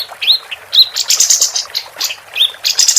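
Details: Female capped white-eye singing actively, used as a tutor recording for contest birds: short rising whistled notes near four kilohertz alternate with dense, buzzy high chatter in rapid bursts, with no other sounds.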